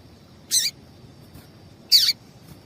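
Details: Female double-collared seedeater calling to excite males for song contests: a pair of sharp, high, slightly descending chips separated by roughly one and a half seconds.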